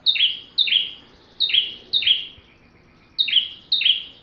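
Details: Bar-winged prinia singing steadily, a recording meant for training white-rumped shamas: bright downslurred double notes repeated about every half second, with a short gap in the middle of the run.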